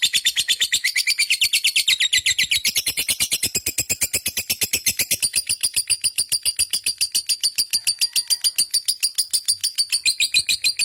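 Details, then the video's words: Lovebird ngekek chatter lasting over ten seconds, a rapid, even pulse of thin high twittering notes, louder early on and softer and finer later. "burung love bird ngekek panjang gacor"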